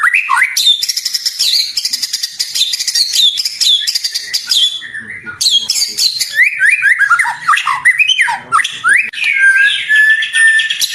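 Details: White-rumped shama from a 2024 recording made for training captive birds: a long, rich medley of rapid chattering phrases, brief pause, then swooping whistles and sliding notes.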